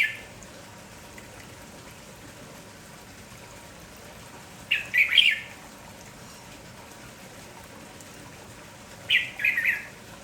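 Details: Red-whiskered bulbul, a lively village bird, sings in the morning: two bursts of bubbly, warbled notes about four seconds apart, separated by quiet background hiss.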